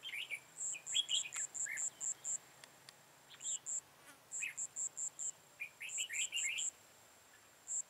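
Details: Decoy red-whiskered bulbul at a trapping site, 13 October 2018, giving brief bursts of quick warbled phrases between long runs of rapid, evenly spaced high-pitched beeps that dominate, over a continuous thin whine.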